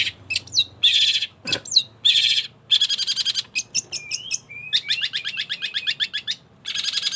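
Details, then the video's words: A long-tailed shrike in full, energetic song mixes grating buzzy phrases with clipped chirps and a run of fast, rising whistled notes, all high-pitched and packed closely together. "Burung cendet gacor"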